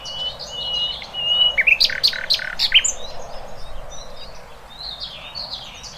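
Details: Wild birds chirping: a short whistled phrase, then a cluster of loud sharp tweets, fading into softer scattered twitters from other birds.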